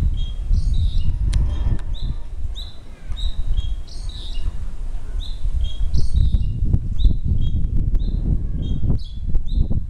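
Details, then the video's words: Bird at Jiufen, Taiwan, keeps up a chatter of brief high chirping notes, sparse at first, then a steadier run of evenly spaced chirps, all against heavy low-pitched rumbling background noise. "Un oiseau en pleine discussion à Jiufen Taiwan 臺灣九份 一只鳥在聊天"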